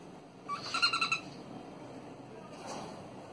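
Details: Pet cockatiel (Nymphicus hollandicus) singing: a brief burst of clear, warbling whistled notes.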